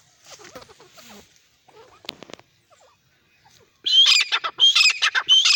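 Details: Francolin (teetar) calling: faint scattered sounds at first, then from about four seconds a sudden run of loud, harsh, rasping notes delivered in quick succession.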